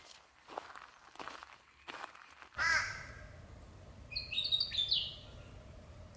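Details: A Willie Wagtail sings on a sunny, calm autumn day in dry sclerophyll eucalyptus forest in southeast Queensland: a brief burst of bright, high, chattering notes in the second half, after soft rustling and faint voices.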